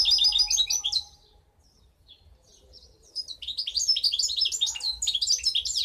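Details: A 2015 goldfinch hybrid delivers dense, high-pitched twittering phrases, falls quiet for a couple of seconds with only faint chips, then resumes a lively, scratchy warble of rapid notes over a soft low hum.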